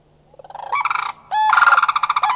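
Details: Three sandhill cranes, likely a family of two adults and a juvenile, answer a group flying past with loud, rolling, rattling bugles in two bursts, overlapping voices; Far North Bicentennial Park, Anchorage, Alaska, May 1, 2011.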